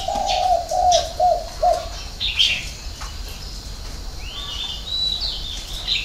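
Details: Spotted dove, six-note hậu 3 cooing: four quick low coos in the first two seconds, then only high chirps and a long thin whistle from other birds.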